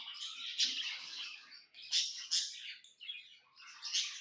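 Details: Cheerful budgie chirps, quick bursts of buzzy warbling and squeaky notes running almost without pause.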